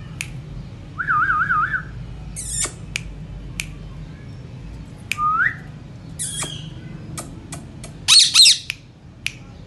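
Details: Pet Indian ringneck parakeet indoors, producing wavering whistled notes, rising whistles, harsh squawks and sharp clicks scattered irregularly through the recording.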